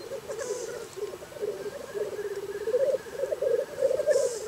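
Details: Black grouse on a very cold Scottish morning: a continuous throaty, rolling coo with a rapid pulsing rhythm. A brief hissing burst sounds near the start and end, and faint thin notes come from other birds.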